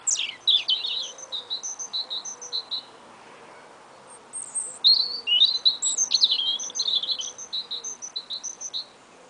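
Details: Two small songbirds singing together on an early spring day: a steady series of short, high, paired whistled notes repeated about twice a second, broken by rapid, varied twittering phrases that rise and fall.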